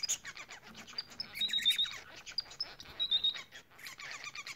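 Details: Bengalese finch song from a group of birds: quick series of clicks and short buzzy notes mixed with thin high whistles that glide slightly, delivered in bursts with brief gaps.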